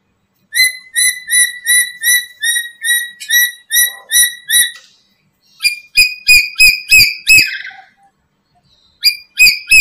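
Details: Black-capped lory calls used for trapping and training other lories: a long fast series of clear whistled notes, then a burst of harsher harmonic notes, a pause, and two more notes at the end.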